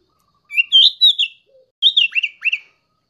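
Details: Young sooty-headed bulbul in song: two short phrases of liquid, fluty warbled notes, the second ending in two quick downward slurs, clean and free of other sounds.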